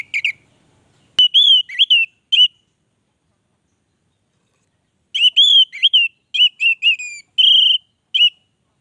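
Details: Orange-headed thrush, locally called anis merah, in vigorous 'gacor' song: clustered bursts of clear, sweeping whistled notes with sharp slurred ends, an opening phrase, a pause, then a longer run of varied whistles before silence.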